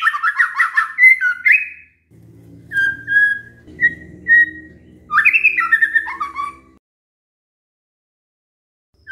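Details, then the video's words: Lure for white-rumped shamas to answer, opening with a rapid whistled flurry, then spaced plain whistles over a low rumbling background noise, another burst of slurred whistles, and long silence. "pancingan murai batu GAK PAKE LAMA, murai langsung nyaut saat dengar ini"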